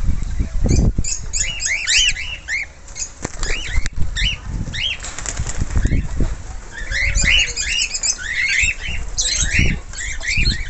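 A flock of cockatiels chatters with many short, bright chirps and whistled notes, over repeated heavy wing flapping and fluttering.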